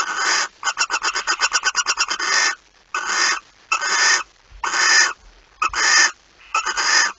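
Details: Barn owl recorded on 9 September 2019 at 02:18: a rapid stuttering run of harsh hissing bursts, followed by several longer rasping screeches separated by short pauses.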